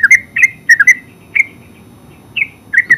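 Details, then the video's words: Yellow-vented bulbul, locally called terucuk or cerukcuk, in full song: short bubbly whistled notes near the same pitch, given in quick pairs and triplets with brief gaps between phrases. "Terucuk full suara ngeropel"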